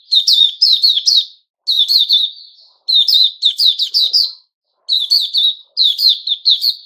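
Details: On 10 July 2021 a male sooty-headed bulbul sings fast chattering phrases of sweet, slurred chirps, one phrase fading into a longer drawn-out tone; a faint low rustle in the background.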